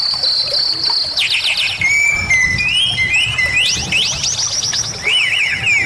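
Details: Varied Bali myna song for tutoring songbirds: a held high whistle, then fast stacked downward trills, a lower level whistle, and rising laddered notes repeated in bursts.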